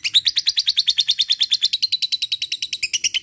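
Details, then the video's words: Lovebird in long ngekek style, a fast, even chatter of high piercing notes at roughly eight or nine per second, sustained through the whole stretch without a break. "LOVEBIRD NGEKEK PANJANG GACOR SANGAT MUDAH BKIN LWN BUNYI"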